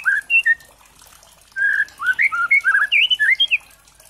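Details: Lure song of a white-rumped shama (murai trotol) used to provoke singing: a few clear whistles, a pause, then a quick jumbled string of warbled, rising and falling whistled notes.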